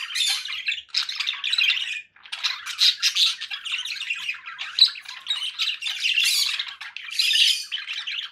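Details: Conure parakeet calling in grating squawks and rough chatter, loud harsh bursts repeated almost without break, one short pause near the middle.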